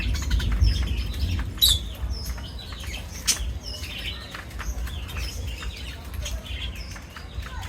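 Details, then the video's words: Parrots at feeding time on a farm keeping foreign birds: a dense flock chorus of short chirps and downward-slurred whistles, many overlapping, with wing flutters and sharp clicks scattered throughout. "পাখিদের খাবার খাওয়ার সময় টি অসম্ভব সুন্দর | Parrots Feeding Time"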